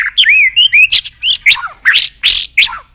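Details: White-rumped shama, excited and tail-flicking, singing a short burst of rich looping whistles followed by harsh clicking notes and downslurred chirps, delivered in rapid, uneven phrases.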